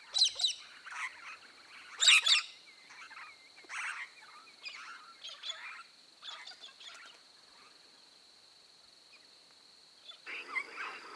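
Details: Regent parrots (Polytelis anthopeplus) give harsh, scratchy chattering bursts, loudest early on, then fading before a last flurry, over a steady high-pitched whine.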